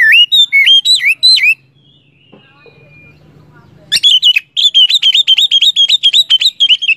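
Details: Oriental magpie-robin in full song, offered as material to bring a silent kept bird back into song. Loud rising whistled notes come in a short series, then a low hum, then a fast run of sharp, evenly repeated chirps.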